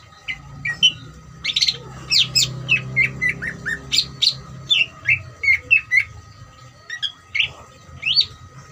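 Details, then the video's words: Greater green leafbird, ngeriwik song for provoking other leafbirds into singing; a long steady series of sharp, high, falling chirps roughly twice a second, over a low droning hum and a faint steady tone. "CUCAK IJO NGERIWIK COCOK UNTUK MANCING CUCAK IJO BAHAN BIAR EMOSI DAN RAJIN BUNYI"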